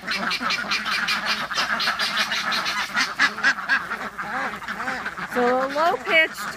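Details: A flock of 23 excited domestic ducks, mostly females with three males mixed in, quacks continuously in low, rapid, overlapping bursts, low-pitched quacking meaning they are happy; a guinea fowl calls nearby and a woman speaks over them.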